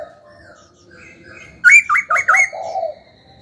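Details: Pet laughingthrush stimulated to sing: after a quiet lead-in, a sudden burst of three or four bright, looping whistles, backed by a lower warbling murmur that fades away.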